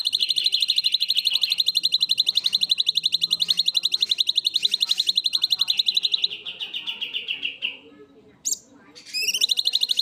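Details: Black-winged myna singing vigorously in long bursts, its natural voice: a steady, very rapid string of bright high chirps held for nearly eight seconds, easing and dropping in pitch, a pause, then a sharp upward note and fresh chirping.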